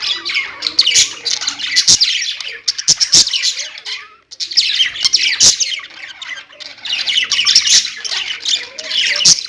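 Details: Household budgies squawk and chirp in bursts, a high warbling chatter that pauses briefly around four seconds before resuming, punctuated by sharp clicks.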